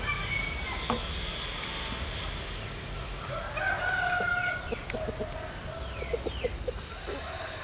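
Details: Japanese-Cuban bantam cross cockerel gives a vigorous crow, a strained held note about a second long, followed by a run of short, quick clucks over steady background hiss.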